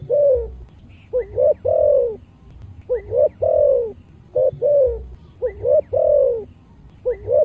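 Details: Spotted dove with a thick, thunderous thổ voice repeating its chiêu–thúc–gù song to rouse other doves: four rapid phrases in a row, each a quick double coo and a long rounded coo, steady low hum beneath.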